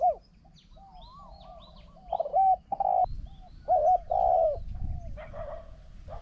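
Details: Decoy spotted dove cooing at a wild bird: two loud, throaty coo phrases in quick succession, each a brief note followed by a drawn-out quavering one, over quieter whistled notes and low rumbling.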